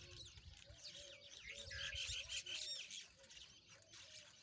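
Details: Rosy-faced lovebirds at play make rapid, harsh squawks and shrill chirps, about three a second, with a few clear whistled notes in the middle, over a faint low hum.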